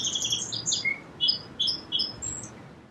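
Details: Song sparrow delivering a series of short, high, slurred whistled notes, some dropping lower, spaced unevenly across a few seconds.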